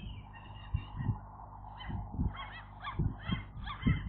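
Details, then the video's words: Fledging-day gull chicks give short arching squealing notes, several quickly in a row, over a rumbling background with repeated low thumps. "seagull chicks, airborne day"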